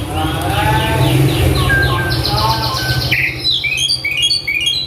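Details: Agitated male Asian pied starling, described as having a full repertoire including alarm sounds, mimicry of a pempek seller, polyphonic notes, prinia calls and cockatoo talk. Quick rasping note series gives way to varied high chirps over a steady low hum.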